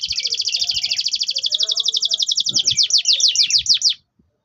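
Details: Orange Loper canary singing a clear roll tembak: a very fast, high rolling trill that gradually slows into distinct separate notes over four seconds before stopping.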